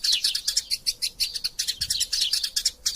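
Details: Eurasian tree sparrow in lively, energetic song, used as a tutor recording for training birds, gives a fast run of bright, sharp chirps, about five or six each second, with nothing else heard.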